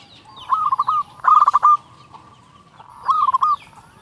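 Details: Zebra dove song played to stimulate other doves to sing; three short phrases of rapid stuttering coos, each a little under a second long.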